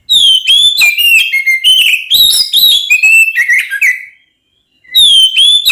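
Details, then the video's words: Oriental magpie-robin singing to goad rival magpie-robins into a fight: rich, loud whistled notes sliding up and down with rapid chattering and buzzy bursts, a four-second burst, a brief silence, then another whistled phrase begins. "SUARA BURUNG kacer gacor NGEPLONG TARUNG konslet ini paling AMPUH buat PANCINGAN KACER agar EMOSI"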